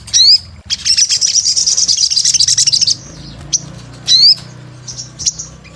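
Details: Crimson sunbird known as sogon, singing gacor: a sharp up-slurred chirp, then a high sizzling pulsed trill for about two seconds, another emphatic rising chirp, and faint thin notes after.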